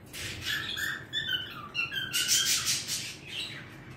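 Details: Male pet bird singing indoors with a steady run of chattering warbles, quick chirps and harsher squawky notes that continue almost without pause across four seconds, loudest near the middle.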